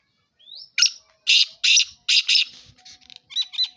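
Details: Black francolin (kala teetar) in Sindh, Pakistan, giving its harsh grating call: a thin rising squeak, then a rhythmic series of loud, rasping, broadband notes, ending in softer clipped notes.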